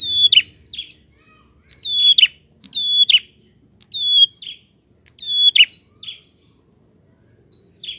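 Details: Prinia song to provoke other prinias: repeated phrases of a sharp high whistle running into a buzzy drop, often followed by a shorter level whistle, about eight phrases in quick succession.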